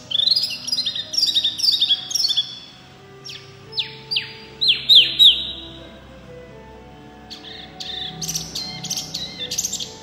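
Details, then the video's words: White-eye in full loud song: bright high twittering phrases, a series of downward-slurred whistled notes, then a brisk burst of sharp chirps. "wambi mini gacor full suara kencang"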